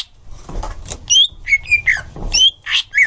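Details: Green leafbird in a training recording meant to help young birds sing fully. The bird gives varied short whistled phrases, some rising and some sharply falling, with bright trilled notes between them and faint low rumbling underneath.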